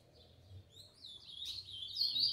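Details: A green-winged saltator sings a doubled song: a brief run of loud, clear whistled notes that grows stronger toward the end, with faint low background hum.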